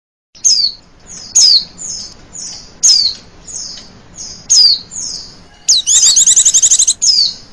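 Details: Female Oriental white-eye giving a trilling lure call used to attract other birds. Thin, high, downslurred notes repeat roughly every 0.7 seconds, then one rapid buzzy trill bursts out near the end.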